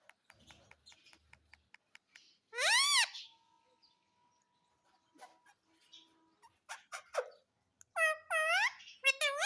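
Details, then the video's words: Talking pet Indian ringneck parakeet, said to say mummy and papa, gives a loud arched harmonic call, a long faint steady tone, then a run of rapid rising-falling squeaky syllables after soft clicks. "मम्मी पापा बोलने वाला मिट्ठू || Ringneck talking parrot mitthu"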